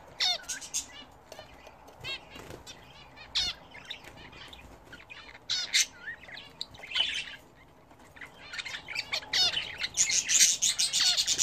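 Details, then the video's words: Pet budgerigars bathing indoors, with fast runs of high twittering notes and scattered sharp chirps, a brief lull around eight seconds, then loud scratchy chatter closing the passage. "Hint Bülbülleri Nasıl Banyo Yapar?"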